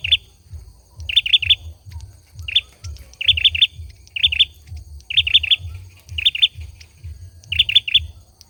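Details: A singing male olive-backed sunbird gives clusters of two to three quick, high, piercing chirps about every second, over a steady low rumbling background noise.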